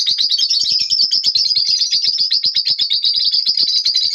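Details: Lovebirds in the morning keep up an unbroken, rapid, high-pitched twittering chatter, steady in pitch and loudness throughout.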